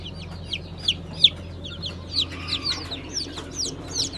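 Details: Newly hatched Brahma chicks in light, gold and blue colours, hatched 20 April 2020, give clear, high, downslurred peeps, some louder than others, several per second, over a steady low hum.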